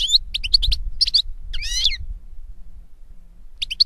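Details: Goldfinch singing in nature, short bursts of high chirps and a drawn-out wavering buzzy note, followed by a pause and more twitters.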